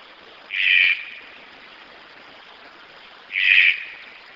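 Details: A red-breasted (green-billed) toucan gives two harsh, rasping croaks about three seconds apart over a faint hiss of background noise.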